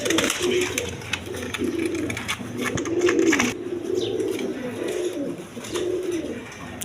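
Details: Several low, rolling coos from native and foreign colour pigeons repeat through the recording, overlapping one another, with sharp clicks and knocks in the first half and a constant background hum.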